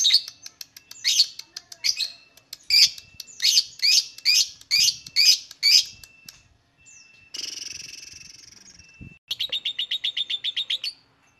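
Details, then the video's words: Lovebird singing, used to provoke other lovebirds into song: repeated screechy chattering notes, then a long buzzy rasp and a quick even string of shrill trilled notes. "LOVEBIRD SINGING"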